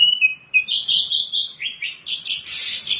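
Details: Wambi mini in lively song, played to coax other birds into singing: a continuous stream of sweet, warbling whistles that climb and wobble, with short chirpy flourishes toward the end, almost no background noise.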